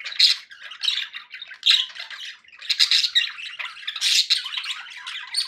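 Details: Budgerigars chirping happily: loud harsh squawks stand out among a steady, buzzy, scratchy warble of chirps, with a brief dip before the chatter resumes.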